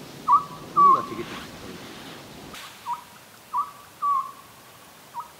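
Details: Oriental scops owl calling at night near a clifftop campsite in South Korea, heard during a backpacking trip: short clear whistled notes around one pitch in a repeating three-note pattern, the series given twice with quiet gaps.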